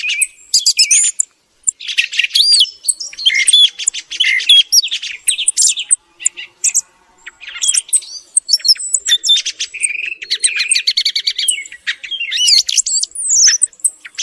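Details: Thrush morning song used to attract birds for hunting; long run of high twittering phrases mixing sharp chirps, rattling trills and occasional clear whistled notes, steady and lively throughout.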